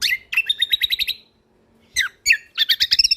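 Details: Kecial kombok white-eye of Lombok singing in a training recording for songbirds: a scratchy, rapid chattering run, a pause, two sharp notes, then a dense, jumbled high trill.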